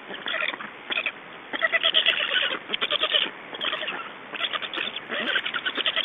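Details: Black storks in Estonia at a changeover and feeding, 2 June 2012, 21:54: rapid trains of rasping, bleat-like calls pulsing several times a second, in bouts broken by brief pauses.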